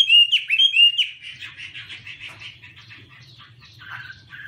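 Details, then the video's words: Chinese hwamei (Garrulax canorus) waving its wings while singing loud, clear whistled phrases with rich slurred notes, then fading into a softer, scratchy warble; a low hum runs beneath. "Birds Garrulax canorus:Birds Waving wings and singing"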